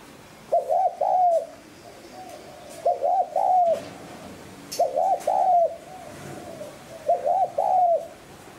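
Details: Spotted dove coo meant to provoke wild doves: four evenly spaced low phrases, each a quick paired hoot followed by a sustained coo, about two seconds apart.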